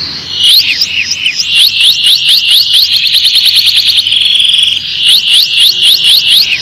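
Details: Tutor song of a canary for young birds: rapid repeated sharp downslurred notes, bursts of fast trills and a short steady high whistle, sung continuously and loudly.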